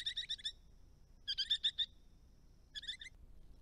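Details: In Australia, resident Eastern rosellas at farm ponds and dams produce three clipped bursts of four or five sharp, ringing, high notes, delivered rapidly with brief silences between the groups.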